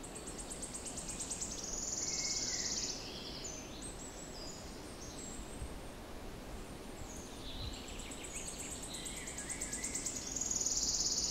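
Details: Wood warbler singing among other birds, dated 06-07-16: two songs, each a run of high stuttering notes that swells into a loud shivering trill, separated by softer calls and chirps from other birds.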